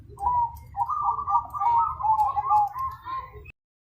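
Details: Zebra dove in loud song: a short coo, then a long stretch of fast, rippling trilled notes that rise and fall slightly before stopping abruptly, followed by silence.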